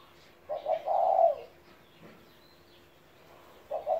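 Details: A 17-year-old spotted dove kept as a pet coos one full phrase of two short notes and a long hollow note. After a pause, the next phrase begins at the end. Faint bird chirps sound in the background.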